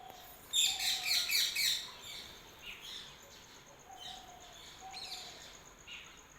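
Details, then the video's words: Birds chirping in early morning, opening with a quick burst of about five loud, high, slurred chirps, followed by softer scattered tweets and faint low whistled tones over steady background hiss. "Early morning # Birds # chirping"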